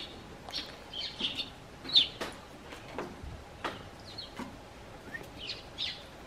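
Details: Garden sparrows perched on a bench outside a house give scattered short chirps, some doubled, mixed with tapping and clicking sounds from movement on the bench.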